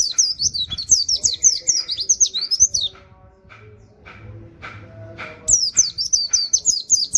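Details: Oriental white-eye in 'nembak wit wit kenari' song for training other songbirds. A fast string of piercing high whistles, then a quiet gap with faint low knocks, then the bright whistled run resumes.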